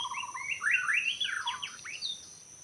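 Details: White-rumped shama singing in forest during bird trapping in Lombok: a loud tumbling phrase opening with a rapid low trill, then bright sweeping whistles climbing and dropping, over a constant high insect drone.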